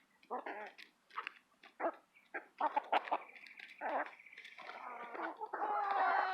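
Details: Hens bickering while eating a mealworm treat: quick, choppy clucks and squeaks from several birds. A drawn-out tonal squeal joins near the middle, and the clip ends in a long, loud, whining squawk.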